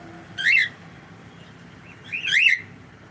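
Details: Pet cockatiel giving two loud, rising-falling whistled calls with harmonics, roughly two seconds apart, over faint low indoor hum.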